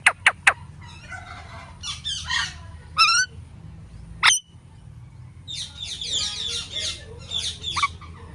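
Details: Indian ringneck parakeet calling: three sharp clicks, then harsh raspy squawks, a quick series of stacked, bending screeches, one loud sharp shriek, and a final burst of busy overlapping chattering squawks over a low steady hum.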